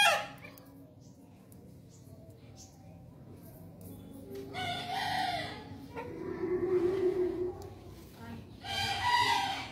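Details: Bekisar, a green junglefowl hybrid, crowing from a distance: drawn-out harmonic crow phrases in the second half, with a further burst near the end, over steady low background noise.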